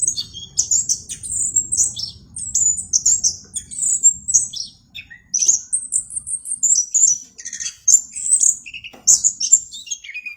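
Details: Vigorous orange-headed thrush song, bright and clear, with high whistled phrases and falling slurs delivered in energetic clusters separated by brief gaps.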